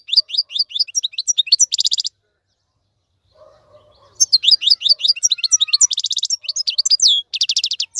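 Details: Tutor song of a European goldfinch for young birds learning to sing: rapid twittering chirps and buzzy trills for two seconds, a quiet gap with faint low sounds, then the lively chattering song resumes.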